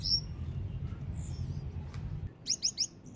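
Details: Baby Gouldian finch calling: after a low rumbling background, three quick, high, thin chirps follow one another near the end.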